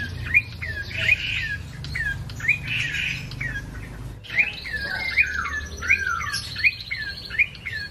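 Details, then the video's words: Ashy tailorbird singing vigorously: crisp whistled notes repeated at a brisk, even tempo, separated by short buzzy patches, above a low background rumble. "BURUNG PRENJAK COKI GACOR/CINENEN MERAH"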